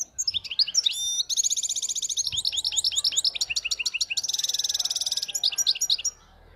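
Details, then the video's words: European goldfinch, error-free khalawi-style song: a continuous run of high twitters, liquid chirps and long, rapid, evenly pulsed trills, one ringing trill especially sustained, on a quiet background. "حسون خلوي خالي من الأخطاء"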